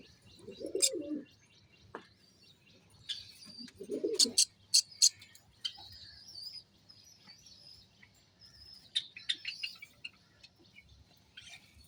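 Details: A white Java sparrow gives sharp, high chipping notes in short irregular bursts, with a few deep pigeon coos in between.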